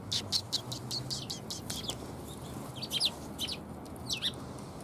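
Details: Sparrows coming to be fed at a Tenmangu shrine on 27 February 2021: several short, high chirps tumble out in quick loose bursts over a steady low background rumble.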